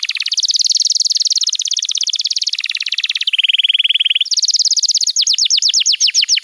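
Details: Canary singing a master song for young canaries: long rolling trills at changing pitches, one lower and steadier, finishing with a run of quick descending whistles.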